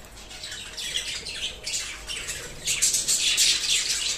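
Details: Budgerigars eating coriander leaves chirp in a busy, scratchy chatter of high, rapid notes.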